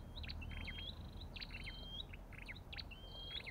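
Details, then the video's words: Olive-backed tailorbird: quick series of chattering high notes each ending in a thin rising whistle, repeated briskly, over a low background hum. "Sập đôi đầu đỏ và vành khoen | Orthotomus sepium"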